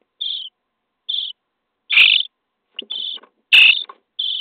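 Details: Begging of common starling chicks fed in their nesting box on day 23: raspy buzzing calls in separate bursts, two loud broad ones among softer thinner rasps, roughly one every half second to second.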